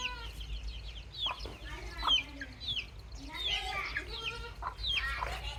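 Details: Little baby chicks cheeping: clusters of high, falling, whistled peeps in bursts, with lower, warbling, harmonic notes between them and a steady faint background hum.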